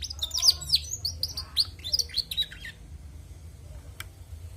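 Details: Female canary singing actively: a quick run of high, sharp whistled chirps and swooping notes for under three seconds, then near-silence broken by one faint click, over a steady low hum.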